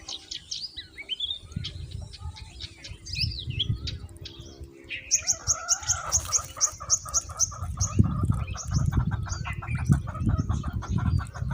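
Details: Common myna chicks fed moringa by their mother. Scattered high chirps and whistles give way to a fast, steady train of harsh pulsed notes, several per second, over low rumbling handling noise.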